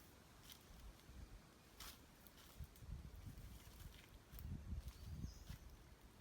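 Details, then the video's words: Cassowary giving deep, low rumbling grunts in short irregular bursts, with rustling and footstep-like crunches throughout. "Cassowary grunting call sound"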